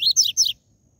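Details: Seedeater known as coleiro or papa-capim, TUI TUI ZEL ZEL song played to warm up captive birds. Three quick, loud, high slurred chirps within half a second, then silence.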